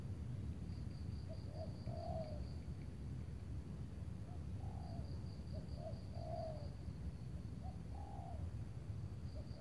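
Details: Spotted dove cooing on an overcast late afternoon near Tangerang while a decoy lures a big-voiced target bird; soft short-and-long coo phrases, fainter and spaced, with a steady low rumble and faint high hum behind.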